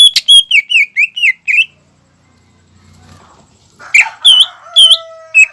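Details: Greater green leafbird in lively song, played to stimulate young birds to sing: a fast series of loud, sharp downslurred whistles, then a pause with faint low rumble, then more bright slurred notes and a steady tone.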